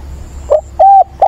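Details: Decoy spotted dove on 17/9, calling to find a mate with a mature 'bổi' voice; a brief close fragment of mellow coos, one short note, a smooth arched coo, then the start of another.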